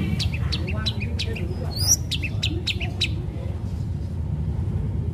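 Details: Fighting-style song of a long-tailed shrike, played to draw other shrikes into singing: a quick string of thin chirps and squeaky notes, with one sweeping high whistle, fading out over a low rumbling background.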